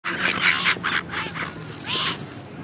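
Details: Silver gulls chasing food, giving harsh, raucous squawks in quick overlapping bursts, with a few thinner rising whines between them.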